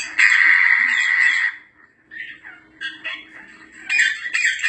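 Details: Grey parrot, known as yaco, uttering a long loud screeching note of about one second, followed by softer chattering squawks and then another burst of harsh calls.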